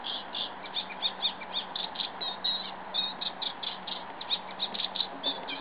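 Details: Eurasian reed warbler song recorded in windy weather, a varied run of clipped, scratchy notes and brief churrs delivered in quick uneven bursts, with wind rumbling steadily underneath.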